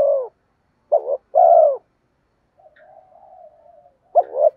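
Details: Spotted dove calling to lure wild doves: the tail of one coo, a complete phrase of a short broken note and a sustained falling coo, then a soft low hum before another phrase starts.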